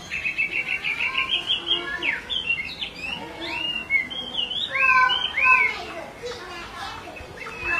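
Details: A female Chinese hwamei calls repeatedly as a male stays agitated. About ten quick, evenly spaced high notes open, followed by varied whistled swoops and clear rising-falling phrases.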